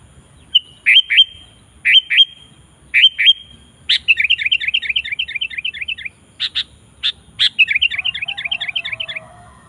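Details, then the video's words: Actively singing sooty-headed bulbul, used to call wild bulbuls into joining. Three quick three-note whistled phrases about a second apart lead into long rapid runs of bubbling, chattering notes, broken by sharp single chips. "Suara Burung KUTILANG GACOR Memanggil Kutilang Liar Ikut Gacor"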